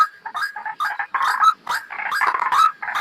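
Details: Harsh, gurgling croaks of a white-breasted waterhen lure call for trapping, uttered in quick, uneven bursts that run into one another with barely any pauses.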